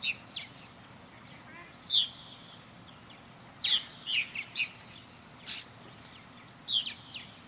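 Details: Purple martins flying around a backyard birdhouse on a blue-sky day; scattered croaky chirps and short rattles in small groups, separated by gaps of a second or more.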